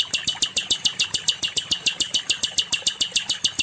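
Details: Regular high, metallic ticking notes from a nightingale (sikatan londo), evenly spaced at roughly two to three per second throughout, in a recording used to train other songbirds.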